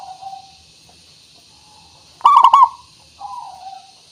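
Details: Zebra dove of local origin singing as lure audio for prompting other doves. A soft descending coo, then one loud trilled coo phrase, then another quieter coo.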